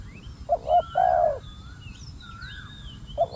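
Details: Spotted dove used as a decoy to draw in wild doves, which meet a very aggressive wild bird. It gives low, hollow coos: two short notes, then a longer drawn-out coo, a pause and another short coo. Thin whistles of other birds sound faintly behind.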